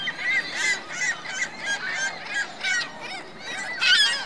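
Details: Geese and goslings at a lake in Reno, Virginia Lake, producing loud bursts of harsh honking roughly every half second, the calls crowding together, with a strong burst near the end.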